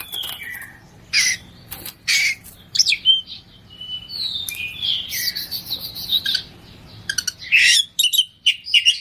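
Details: Oriental magpie-robin (kacer) giving gacor song full of isian, mixing scratchy bursts, clear downslurred and rising whistles, and a closing spell of fast chattering trills, with soft low hum behind.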